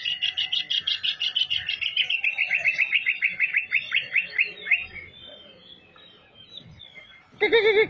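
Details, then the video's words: Greater green leafbird in full song, its repertoire filled with canary song: a fast series of bright whistled notes that slowly descend in pitch, fading into softer twittering, ending with a sudden loud harsh note. "cucak ijo gacor isiannya burung kenari"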